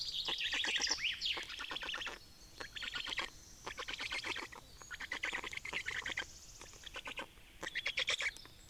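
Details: Feeding Black storks in Estonia on 25 May 2019: long sequences of fast, grating pulses rising and falling in loudness, interrupted by brief pauses, with a few higher wavering notes at the start.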